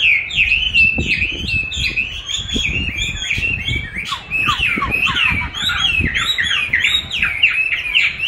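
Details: Chinese hwamei trained against playback of its own song: fast rippling whistled phrases, descending slurs and high chips, over frequent low thuds and knocking in the background.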